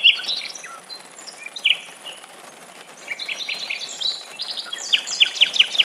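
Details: Nightingale song recorded inside a forest with summer rain falling: bright whistled notes and chattering phrases, ending in a fast series of sharp repeated notes, with steady rain hiss beneath.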